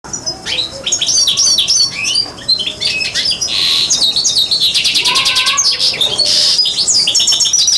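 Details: Algerian goldfinch mule, a hybrid, singing a dense, rapid song of high twittering notes, buzzy trills and descending slurred whistles, delivered almost nonstop with brief breaks.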